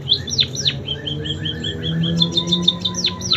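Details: Munia singing canary song imitations: sharp descending whistled notes, then a run of short rising chirps at a steady pace, ending in quick high trilled notes, over a faint low hum.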